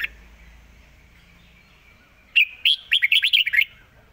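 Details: Red-whiskered bulbul giving a fast-beak style song. After two quiet seconds, one bright note leads into a hurried string of clear, bubbling, up-and-down warbles lasting over a second.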